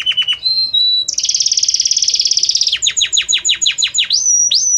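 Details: Belgian canary in harmonious song, notes evolving gradually: short dropping chirps, a dense rapid rolling trill, then a series of downward-slurred whistles and a final rising whistle.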